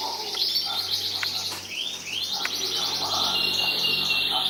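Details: Competition-winning canary from 2014 giving a sustained high buzzy trill, a couple of clear rising-falling whistles, then a steady rapid rattle, with a few sharp clicks.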